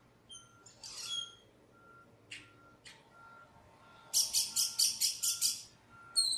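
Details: A lost black bird gives scattered high whistled notes, then a fast burst of seven harsh buzzy pulses and a final whistle; a faint regular electronic beeping runs underneath.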